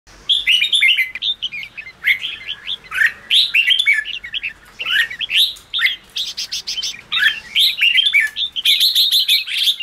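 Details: Red-whiskered bulbul in fired-up chattering song, used to rouse newly caught or low-spirited caged bulbuls; quick bursts of bright warbled, slurred notes with sharp clicks, packed phrases separated by brief pauses.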